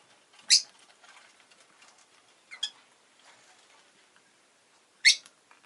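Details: Rosy-faced lovebird kept as a pet with three short shrill chirps among soft pattering and clicking movement noises.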